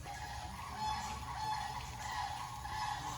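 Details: Geese at a zoo in Salisbury, Maryland give nasal, honking calls that overlap in a steady run over about three seconds, with a low background rumble beneath them.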